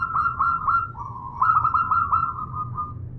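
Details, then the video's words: A local zebra dove hen calls for a male in a continuous stream of rapid, slightly rising cooing notes. The notes run together into a fast trill that eases off toward the end. "SUARA Perkutut Lokal Betina Memanggil Jantan"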